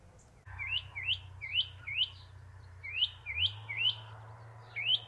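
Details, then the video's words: Northern mockingbird singing on its favourite perch, the top of a stove pipe; a series of sharp rising whistled notes repeated about every half second, over a steady low hum. "Northern Mockingbird singing and preening"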